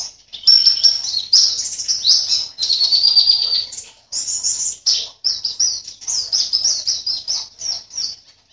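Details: White-eye from Sambas, West Kalimantan, singing in its cage for an online contest: loud, rapid high twittering in long phrases, with brief breaks near four and five seconds.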